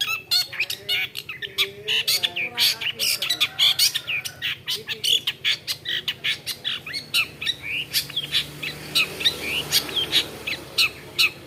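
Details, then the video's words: Long-tailed shrike, a mimic of other birds' calls, giving a busy, varied song of harsh squawks, sharp chips and quick whistled phrases, nearly continuous and loud throughout. "CENDET GACOR. Long-tailed shrike bird."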